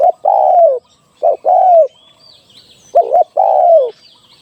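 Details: Spotted dove decoy call for trapping: three phrases, each a brief stuttered note leading into a drawn-out coo that slides downward. High, thin chirps of other birds sound in the pauses.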